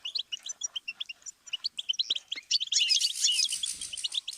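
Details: Goldfinch learning-tape song: evenly spaced sharp chirps at first, then a rush of harsh, buzzy, tightly packed twitters in the final second and a half.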